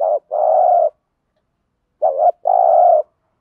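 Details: Spotted dove cooing in the thúc gù style, used as a lure to make wild doves feel challenged and coo back. Two phrases about two seconds apart, each a short wavering note then a long steady low coo, with clean silence between.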